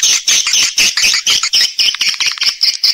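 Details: Swiftlet calling and roosting sounds: loud, harsh, high chirps given in quick pulses, about five every second, sounding squeaky and scratchy.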